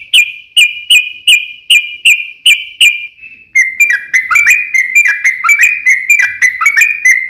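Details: Sooty-headed bulbul recording used as a lure to make other bulbuls sing: about eight loud, evenly spaced whistled notes at one steady pitch, then a faster, denser run of bubbly chirping notes with slight pitch shifts.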